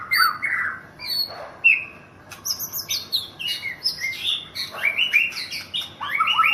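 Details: White-rumped shama, a Thai national champion, singing chirpy whistles that build into dense rapid twittering phrases with many high notes.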